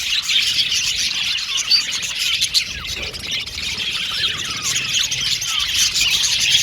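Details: Male blue and violet budgerigars in an aviary colony, a dense, continuous flock chatter of high chirps, warbles and squeaks overlapping without pause, with a few louder peaks throughout.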